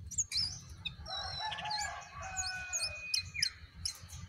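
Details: Sooty-headed bulbul, a wild bird facing off against a caged one until the wild bird flees; warbled mid-pitched phrases and short whistled notes, mixed with sharp high chirps from other birds over a steady faint tone.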